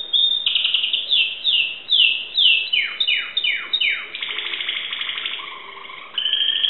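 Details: Timbrado canary kept in Greece singing a series of descending swooping notes, about eight repeated slides, followed by a rapid buzzy trill and a lower held phrase.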